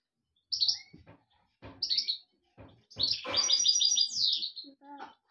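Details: European goldfinch song of bright high chirps, then a long fast buzzy trilled twitter lasting about two seconds, with faint low tapping sounds in the background.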